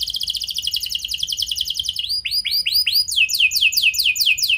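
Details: Lure song of a canary, luxurious cengkok with long nembak, played to get other canaries to reply: a fast high rolling trill, then slow rising arched notes, then a run of quick descending whistles.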